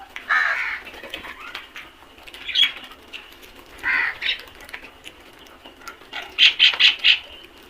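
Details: Harsh caws from a crow flock, a few spaced single calls, then a rapid run of four short caws near the end.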